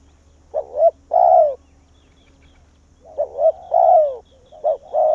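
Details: Spotted dove acting as a lure bird to call wild doves in to its tree in Vietnam. Cooing phrases, each a short double note and then a long falling coo, repeat quickly, overlaid by a faint steady tone and a low hum.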